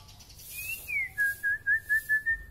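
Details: White-rumped shama with a very long tail, singing persistently: a clear whistled note sliding up then down, followed by a run of six short, even whistles on one steady pitch.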